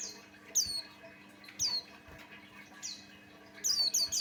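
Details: Buxtoni white-eye singing as a lure for other white-eyes: a handful of thin, high, descending whistles about a second apart, ending in a quicker run of notes, low hum audible throughout.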